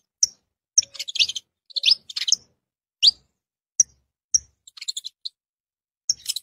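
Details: Saffron finch song of crisp high chirps mixed with short chattering clusters and sweeping notes, irregularly paced, ending in a brief rapid flourish.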